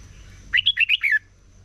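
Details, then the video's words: Morning competition song of a red-whiskered bulbul, a wild-caught bird in voice training: one brisk phrase of five quick, clear, bubbly whistled notes, then quiet with a thin steady high tone behind. "Chào Mào Hót Đấu || Kích Chào Mào Hót Sáng Luyện Giọng Bổi Hót Đấu Căng Lửa"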